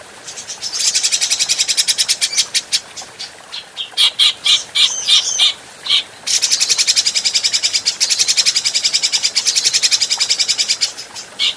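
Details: Adult grey-cheeked bulbul heard in a clear practice recording meant for other birds: long stretches of rapid, rasping pulses broken mid-way by a handful of louder, separate harsh notes, then the fast churring rattle resumes.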